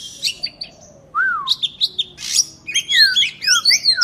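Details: Oriental magpie-robin from Indonesia, energetic song used as therapy for lazy singers: a low falling whistle, then dense bursts of high chirps, harsh rasps and fast looping whistled notes.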